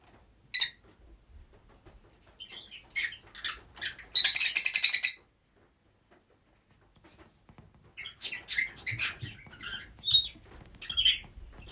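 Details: Multiple rosy-faced lovebirds housed together give scattered chirps, then one second of loud, grating, rapidly pulsed screeching, a silent pause, and busy overlapping high twitters to finish.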